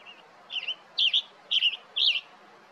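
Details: Male Western tanager calling for his mate: four short, burry two-part notes, each a quick rising-falling chirp, spaced about half a second apart over faint background hiss.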